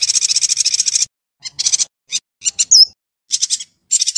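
A yuhina gives fast, high, buzzy chattering trills in bursts separated by short pauses, with one sharp whistled note.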